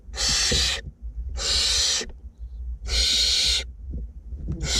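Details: Being fed inside a nest box in north Glasgow, two young barn owls produce loud, airy hissing screeches in a steady series, roughly one every 1.3 seconds, with faint scraping between them.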